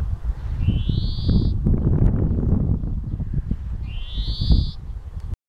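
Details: Two long rising nasal wheezes from a European greenfinch, spaced about three seconds apart, with loud low-pitched wind noise throughout.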